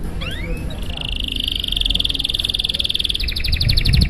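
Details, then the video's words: Canary in long, showy song meant to get other canaries singing: a few rising whistles lead into a long, even high trill that shifts into a faster pulsed rattle, with low rumble beneath. "Suara Burung Kenari GACOR PANJANG Gaya Mewah! Buat memancing Suara Kenari lain Agar IKUT GACOR"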